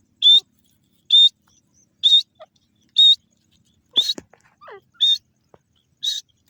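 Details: Grey francolin, called Sindhi teetar, repeating piercing, high-pitched calls about every 0.9 seconds, seven in all, mixed with soft clicks and a brief lower rasping note midway.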